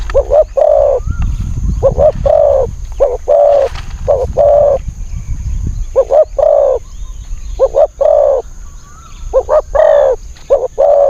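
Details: Wild spotted dove answering a decoy, a bird with a thin high voice: many repeated coo phrases, short notes leading into longer held ones, a burst of low rumbling noise in the first half and faint whistles behind.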